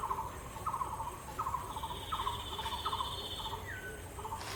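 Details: A male bronze-winged jacana, resting on water hyacinths with his chick tucked under his wings in Purbasthali wetlands, India, gives short, nasal mid-pitched notes in quick bursts about every three-quarters of a second, over a thin high insect whine.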